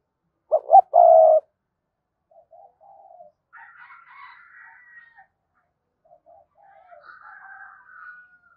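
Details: Spotted dove giving one loud phrase of two quick hoots and a held coo, followed by faint, distant cooing and softer calls.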